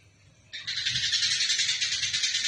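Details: Eurasian tree sparrow heard while fighting, kept as a training recording for songbirds. After a quiet half-second, a sustained, loud, rasping chatter of fast pulses runs to the end.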